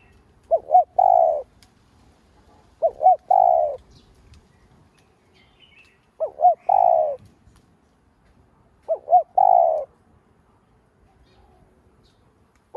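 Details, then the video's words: Spotted dove, known locally as cu đất, giving lure coos to stimulate other doves. Four phrases of two clipped hoots and a sustained burred coo arrive at uneven gaps, and a fifth starts at the end. "Cu gáy mồi cây gáy gọi thúc ,gù bổi hay. tiếng cu gáy mồi cây kích bổi hiệu quả, cu đất gáy"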